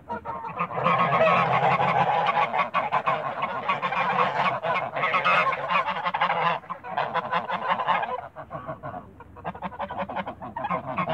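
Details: Loud, nearly continuous honking from Toulouse geese kept in a backyard, several birds calling over one another in harsh, rapid nasal blasts with only brief lulls near the seven- and nine-second marks.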